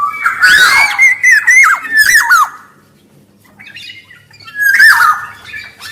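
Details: Black-naped oriole, male and female voices for luring and tutoring: a loud run of fluty whistled notes with nasal squawks for over two seconds, a pause, then another squawking whistle.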